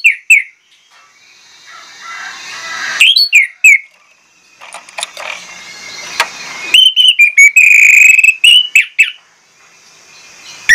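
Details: Orange-headed thrush in full pancingan song, loud and persistent, unloading varied phrases. Clipped whistles alternate with a longer steady whistled note near the end, between pauses filled with soft hiss.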